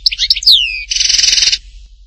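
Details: Short goldfinch phrase in the Htatba style from Tipaza: a few sharp chirps, a long clear whistle sliding downward, then a harsh, nasal buzzing trill held for about three quarters of a second.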